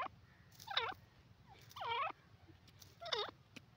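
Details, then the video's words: Grey francolin, known locally as dakhni teetar, giving three harsh, harmonically rich calls. Each call is slurred and dips then rises, spaced about 1.2 seconds apart, over faint low background hum. "beauti grey francolin bird awaaz,dakni teetar ki sound"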